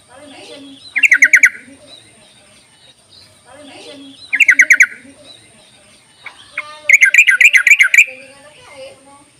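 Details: Enticing yellow-vented bulbul call meant to prompt sluggish bulbuls to sing, with three loud phrases of rapid, rattling notes about three seconds apart. The last phrase is longer and denser, and quieter chirps fill the gaps.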